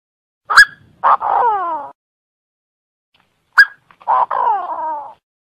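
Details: Two call phrases from a Cambodian francolin about three seconds apart, each a sharp piercing note followed by a coarse note that glides downward into a drawn-out whine.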